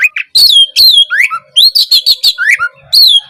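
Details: Short burst of gacor song from an Oriental magpie-robin (kacer), played to coax a silent bird into song; loud slurred whistles and fast chattering notes, some sweeping upward, closing on a strong drawn whistle.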